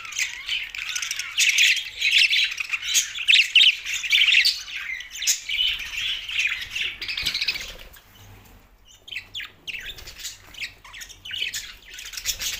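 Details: Two male pet budgerigars chirping: dense bursts of chattering, squawky warbles and chirps, loud and continuous for about eight seconds, then quieter scattered chirps and clicks after a brief lull.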